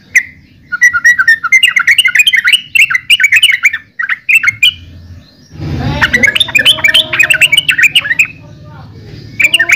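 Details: Yellow-vented bulbul delivers rapid bubbly chirping phrases, bright and warbling, in quick bursts of notes, broken by a short noisy rustling burst midway, over a steady low hum.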